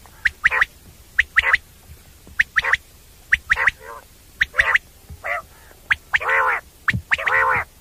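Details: Night call of the common quail, known locally as batair, used for hunting: crisp high paired notes repeated about once a second, then several broader, buzzy, nasal notes toward the end.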